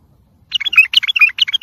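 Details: Bulbul delivering tayariyat saihan song for young-bird training. A quick, bubbling phrase of rising and falling whistled notes starts abruptly and is still going at the end.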